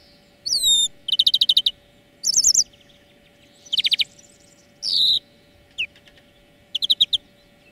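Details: Lively greenfinch twittering recorded as a song lesson for training birds: whistled upslurred notes, short rapid trills and a brief buzzy phrase, spaced through the clip over a faint hum.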